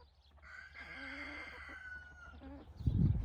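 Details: A rooster crows during an evening among hens and roosters scratching in golden light: a drawn-out, gently descending harmonic call lasting nearly two seconds at moderate distance, followed by a loud low thump and rumble at the end.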